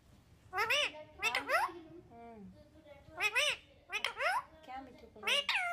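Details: Pet talking parrot in a small room, uttering a series of high, nasal speech-like syllables with bending pitch, several short phrases in quick succession.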